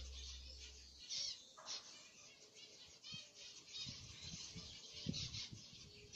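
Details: A pet long-tailed finch (Poephila acuticauda) gives a steady run of high, thin chirps and twittering notes, with soft thumps and fluttering from wingbeats and movement.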